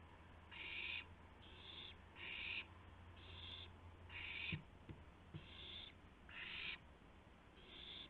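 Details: Owl recorded by a live nest camera in the small hours of April 2, 2016, during a gopher food delivery; rapid series of rasping, breathy hisses about half a second long, with faint low hum beneath.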